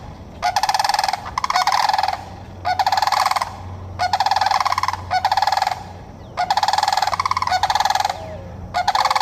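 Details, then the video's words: Sandhill cranes in Florida give loud, rolling, rattling bugles in long bursts, the calls overlapping in a steady back-and-forth chorus with little else heard. "Sandhill cranes calling"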